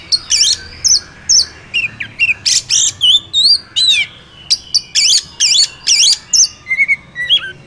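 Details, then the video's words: Oriental magpie-robin in the wild, loud varied song of rapid whistles, sharp down-slurred notes and harsh buzzy bursts, phrases coming two or three times a second without a steady rhythm. "Pancingan kacer ampuh langsung Emosi - kacer di alam liar"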